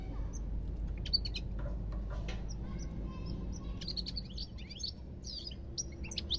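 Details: European goldfinch twittering: scattered thin chirps early, building into quicker bursts of tinkling, slurred notes in the second half, over a loud low rumbling background.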